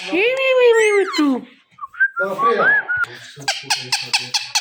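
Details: A pet Indian ringneck parakeet gives a long, drawn-out, falling harmonic wail, then short slurred whistles, and ends with a series of rapid, regularly spaced clicks.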